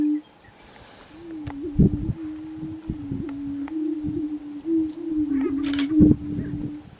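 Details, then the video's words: At a Colorado grouse lek in 2023, a steady low hum carries small wavering bumps, punctuated by sharp popping bursts at intervals of a second or two. "Colorado Lekking Grouse"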